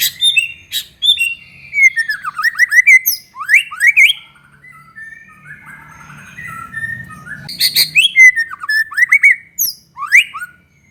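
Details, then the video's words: White-rumped shama in full song to provoke other shamas: fast, loud, varied whistles and sweeping notes in dense bursts, with a quieter warbled section in the middle. "SUARA BURUNG MURAI BATU GACOR INI"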